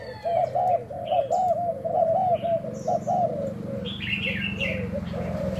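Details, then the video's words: Decoy spotted dove tested for cooing, dated 1 November; steady run of soft, low, rounded coos that dip slightly toward the end, mixed with scattered higher twittering and faint background hum. "Mồi trần thái gù thử"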